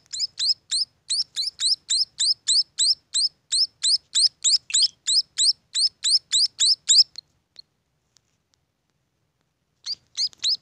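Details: Rapid high chirping of young munias for about seven seconds, then near silence, before the rising notes resume briefly at the end.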